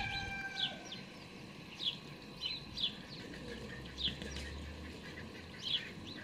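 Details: House sparrow fledglings being fed by a parent, observed from a hide on 12 May 2019: short bright chirps, rising then falling, repeated roughly once a second, with a steady low background rumble.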